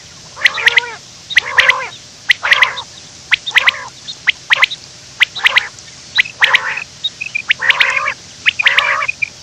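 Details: Quail gives harsh, raspy bursts about once a second, each a short burry phrase, repeated steadily with faint background hiss; recorded in the morning, used as a trapping lure call.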